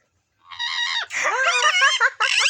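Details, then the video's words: Rose-ringed parakeet (green ringneck) giving harsh, nasal, wavering squawks in two bursts, with a short gap between them and a shorter final note. "Green Ringneck Parrots | Mitthu Ki Awaaz | Parakeet Natural Sounds"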